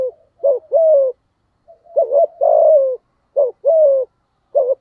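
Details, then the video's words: Low mellow coos of a spotted dove in the "giọng thổ" voice, used to goad a rival male: short hoots paired with longer descending notes, repeated in several phrases roughly once a second, nothing else audible. "Tiếng cu gáy giọng thổ thúc gù kích bổi hiệu quả/ chim cu gáy kích bổi"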